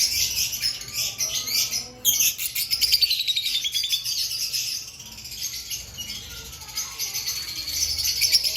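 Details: Lovebirds in pre-breeding-season activity, a steady chorus of shrill, rapid chirps and rattling squeaks, one brief break early on, then dense overlapping chatter that softens slightly midway and swells again at the end.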